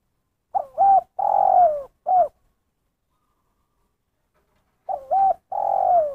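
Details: Spotted dove giving the 'kuk satu' call style: mellow cooing phrases, two short coos followed by a longer drawn-out coo, repeated after a silent pause, clean with no other sounds.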